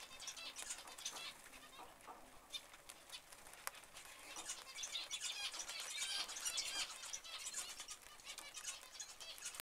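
Zebra finches give a steady stream of short, nasal, toy-trumpet beeps and dry chattering notes, several birds overlapping, about two calls a second.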